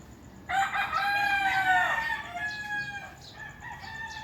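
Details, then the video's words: A rooster gives a loud, harmonic morning crow lasting about two and a half seconds, rising then falling, followed by a fainter second crow behind it. "Roosters Crowing and Birds Chirping Sounds"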